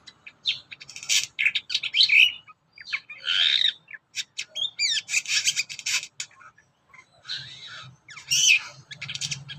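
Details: Kurincang in varied full song for training other birds: bursts of scratchy, buzzy chatter and rapid twitters broken by short pauses, with occasional clear rising whistles.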